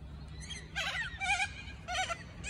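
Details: Cockatoos in the morning give four or five harsh, raspy screeches with nasal overtones, each under half a second and spaced irregularly, over a low steady hum.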